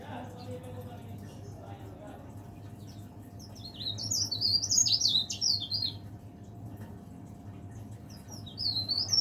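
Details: Leaf warbler in a cage giving a lively song: a fast two-second run of sharp, high, tumbling notes that rise and fall, followed later by a brief second phrase starting, against a faint droning background hum.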